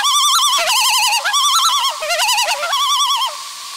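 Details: Loon with mate and chick on their last day at the nest, perhaps disturbed by an intruder; a run of loud wavering, yodel-like quavering phrases that stop abruptly, leaving a faint steady tone.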